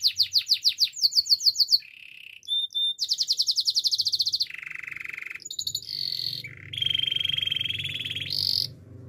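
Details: Canary singing for canary training: a series of sharp chirps, a short low roll, a fast high trill, then long buzzy rolls shifting between pitches.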